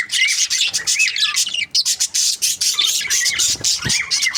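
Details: Budgerigar breeding pairs chattering together: dense, fast warbled chirps and scratchy squawks overlap continuously, with short rising-falling whistled notes woven through the busy high-pitched babble.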